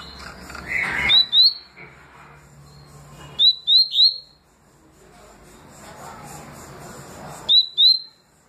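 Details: Double-collared seedeater, songs in the tui tui and deputado styles: paired and tripled sharp upward-sweeping whistles, repeated at intervals of a few seconds, with a low hum and hiss between phrases.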